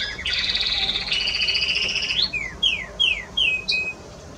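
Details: Timbrado canary of Spanish breed, recorded 30 May 2017: a sustained double-pitched rolling trill for two seconds, then five separate sharp descending whistles spaced evenly apart.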